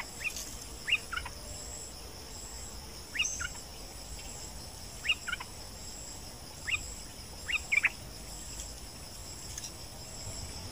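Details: Bulbul in the wild during breeding season, recorded toward evening while being lured: brief upward-slurred whistled notes, singly and in pairs, scattered through the clip beneath a constant shrill insect hum.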